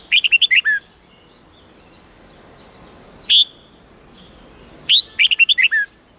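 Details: Red-whiskered bulbul '8-9-10' forest-standard song used to coach young birds: a quick six-note warbled phrase, a lone sharp whistle midway, then a matching phrase of about seven bubbling notes.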